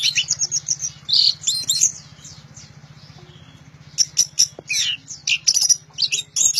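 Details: Orange-headed thrush singing loudly: rapid high chattering notes, a pause of about two seconds, then more bursts of sharp, varied whistles and trills, over a low steady hum.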